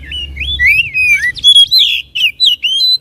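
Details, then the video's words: Song of the white-rumped shama, played to stir a caged bird to sing and open its tail, given as a continuous run of swooping whistles, buzzy trills and quick high chips, loud and varied throughout. "PANCINGAN SUARA KACER AGAR CEPAT EMOSI DAN BUKA EKOR"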